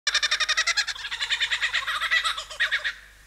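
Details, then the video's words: A male lyrebird in forest, trying to outsing rivals, mimics man-made sounds such as camera shutters, a motor-drive camera, a car alarm and chainsaws: a rapid harsh mechanical rattle of about a dozen clicks per second, then a denser churring burst that fades. "Lyrebird Imitating Man-made Sounds in Forest"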